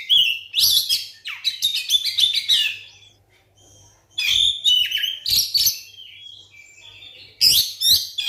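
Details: Provoking song of a white-rumped shama, played to stir silent shamas into singing: long runs of rapid, varied whistles, trills and harsh chatters in three bursts separated by brief quiet gaps, a soft low hum throughout.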